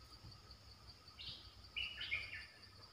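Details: Streak-eared bulbul used as a lure bird to call in wild birds: a brief burst of bright chattering chirps lasting under a second, set against a constant insect whine.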